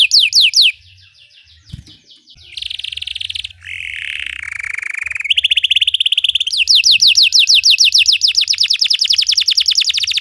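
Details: Belgian canary singing that trains other canaries: falling whistles, soft trills, harsh buzzy rolls, then a long fast run of descending whistled notes.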